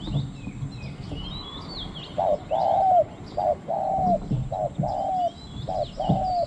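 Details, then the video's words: Spotted Dove decoy answering wild doves at the third spot, small khu-ang voice: after a quiet start, four paired low coos, a short note then a longer slightly falling one, with lively high chirps of other birds. "ต่อนกเขาใหญ่ | หมาย3 กุก/คูอ่างตลอด | เสียงเล็กคูอ่าง หนุนอ่าง เสี้ยนสอ"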